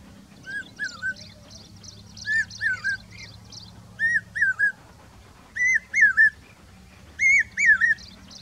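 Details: Common hawk-cuckoo, a summer migrant in Rajasthan, calling: clear whistled phrases of two or three rising-then-falling notes, repeated about every one and a half seconds and growing louder, over a faint low hum.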